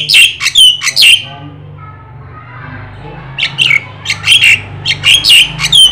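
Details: Black-winged starling song, used as a tutor to stimulate other birds: bursts of squeaky, scratchy chirps, a short pause with low hum, then more rapid harsh notes repeated in quick succession.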